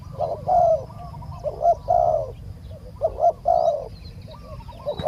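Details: Spotted dove calls during decoy trapping, the wild bird slow to come down: paired soft coos in three phrases, a short note leading into a fuller, drawn coo, separated by quiet gaps with faint low noise.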